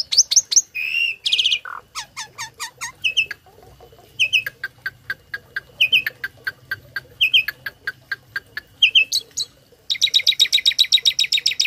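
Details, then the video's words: Tame starling used to tutor other songbirds, delivering a fast string of sharp chips, repeated short whistled phrases and a closing dense buzzy trill, about two to three notes per second. "Burung Jalak Jinak Isian Nembak || Cocok untuk masteran burung lain langsung nyaut"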